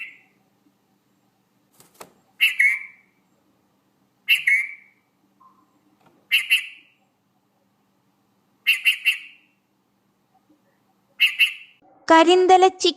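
Red-vented bulbul giving five short, bright, chirpy phrases about two seconds apart, then a person's voice begins.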